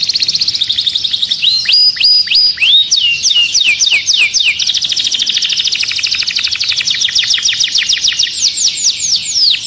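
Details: Canary inside its cage in an agitated state gives a high buzzy trill, bursts of sharp descending chirps, then a long fast rattling roll of repeated notes.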